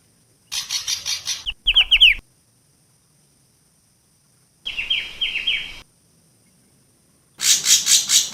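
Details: Long-tailed shrike lure call, 'kembang' form: three bouts separated by silences, with repeated harsh rasping bursts and a series of quick downward-slurred whistled notes, then more rapid grating chatter at the end.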